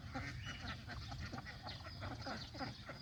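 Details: Baby and adult farm geese feeding on fresh green grass near a pond; steady chorus of overlapping nasal calls and chatter from many birds, with no pause, over low background rumble.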